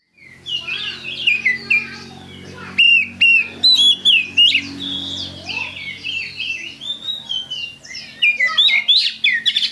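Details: Oriental magpie-robin in vigorous full song, a rich run of loud whistled notes, slurs and rapid chattering phrases, with many sharp upswept and downswept notes packed closely together and a faint low hum behind.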